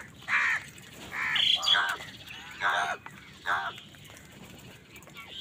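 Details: Crows squabbling with other birds over food: a few rough, drawn-out caws spaced about a second apart over faint background noise.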